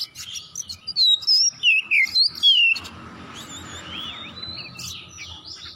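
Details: Oriental magpie-robin singing vigorously, used as a lure to set other magpie-robins singing: a rapid string of loud, clear whistled and slurred notes, then quieter, fainter phrases continuing in the background.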